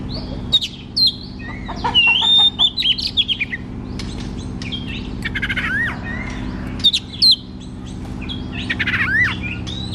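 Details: White-rumped shama singing in a cage, meant as a lure for a bird that sings little: bursts of loud whistles and harsh trills separated by quieter pauses, with a steady low hum.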